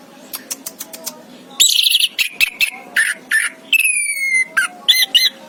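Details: Orange-headed thrush (anis kembang) chirping: bursts of bright, high whistled and buzzy notes, including a long whistle that slides downward, given in quick irregular phrases over a faint, steady background hum.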